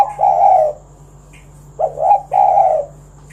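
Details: Loud spotted dove coo used to get other doves singing: two drawn-out, throaty coos separated by a quick upward-inflected note, against a quiet background.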